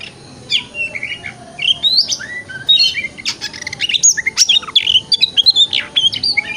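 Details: Oriental magpie-robin (kacer) singing a 'wikplong' lure song, played as morning therapy to get the bird to open its tail; loud, varied whistled phrases, rising and falling slurs and rapid chip bursts, close and clear over a faint background hum.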